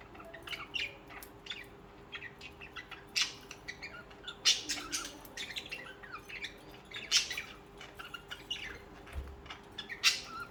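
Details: Pet budgerigars singing and chirping: busy warbling chatter broken by loud sharp squawks every second or two.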